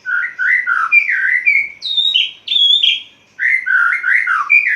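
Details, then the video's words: Caged white-rumped shama in full dawn song after its cage cover is opened: rich, varied whistled phrases, rising and falling, delivered almost continuously with one brief pause. "Murai Batu Ngeplong buka tutup sangkar langsung gacor | Burung Murai Gacor Subuh Subuh"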